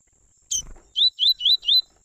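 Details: Two double-collared seedeaters, father and son, singing tui-tui warm-up song. One sharp high note and a brief rattle lead into four loud, evenly spaced rising whistles at roughly five per second.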